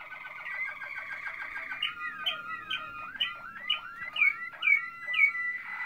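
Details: Malinois Waterslager canary singing in 2016: a quick rolling trill gives way to liquid looping slurred notes, repeated roughly every half second and rising into bright chirps.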